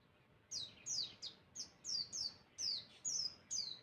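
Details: Masteran song to make other birds call back: steady run of very high, sharply falling whistles, roughly two to three per second, each clean and bright, with little other noise.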